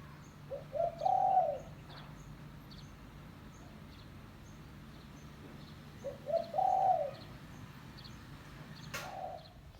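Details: Spotted dove (tekukur), a village bird used as a lure call for wild doves, gives two soft, low cooing phrases, each a couple of short notes then a longer hollow coo, about five seconds apart, over faint high chirps and a quiet rural hum.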